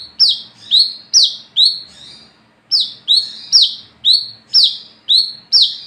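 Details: At night, an olive-backed sunbird (wiceh) gives the lively ngalas ngeplong song used to attract and train other birds: high, sliding-down notes in pairs, a short pause after the first four, then eight more evenly spaced.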